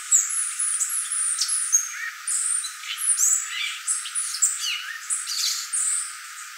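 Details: Violaceous euphonia (gaturamo verdadeiro, guriatã) in a long rambling song of dense high chirps, twitters and short whistled phrases, almost continuous with brief pauses.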